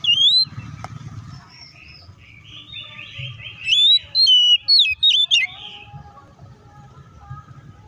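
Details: Oriental magpie-robin fighting song used to provoke other birds: after a quiet start with low hum, loud clear whistled notes that rise, slur and jump between pitches come in a quick burst near the end, with faint chirps behind.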